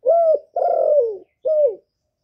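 A spotted dove gives three low, hollow coos, the middle one longest and sliding downward at the end, all within about two seconds.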